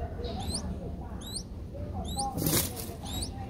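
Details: Five-day-old Streak-eared Bulbul nestlings, Ubon Ratchathani, Thailand, 7 April 2023: brief high rising double squeaks roughly every second, with one broad rustling burst and a low hum beneath.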